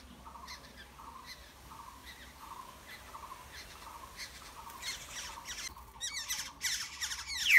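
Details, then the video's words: Nestling Black-hooded orioles being fed: a soft, regular series of short mid-pitched notes about every 0.7 seconds, then loud, harsh broadband squawks break out near the end as the begging intensifies. "Yellow birds feeding their chicks In the nest।হলুদ পাখির বাসা ।kepodang bird ।Black -headed oriole"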